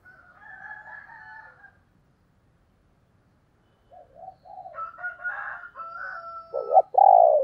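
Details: Female spotted dove voice of the 'thổ đồng' type, used to draw wild males: a soft wavering phrase, a long silence, then a rising series of throaty notes ending in deep loud coos.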